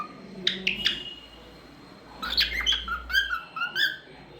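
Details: Pet cockatiel, a talkative bird, singing: three sharp chirps, a pause, then a string of clear whistled notes that rise and dip in a quick, warbling run.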